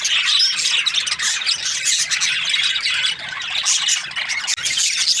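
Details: Breeding pairs of budgerigars, the Australian parrot, in a dense, unbroken chorus of chattering chirps and scratchy squawks from many birds at once.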